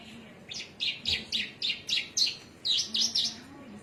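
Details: Javan myna from Cilacap singing: a run of about nine short, chirpy, slightly harsh notes at a quick steady pace, separated by brief pauses, over a faint low hum and distant background noise.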